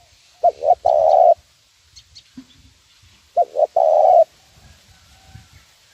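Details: Mellow 'nguku' lure call of a spotted dove used to teach birds: two phrases three seconds apart, each two short hoots then a prolonged coo, with faint scattered background noises.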